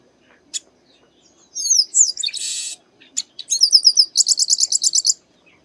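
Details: Chestnut-capped blackbird singing in the sertão of Bahia, northeastern Brazil: a short note, then slurred whistles, a loud buzzy rasp and a rapid run of bright, evenly repeated trill notes.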